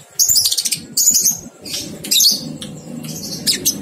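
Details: Lovebird ngekek training recording for two-month-old young birds: dense, rasping high chatter in long rolling bursts with wing-like fluttering noise beneath.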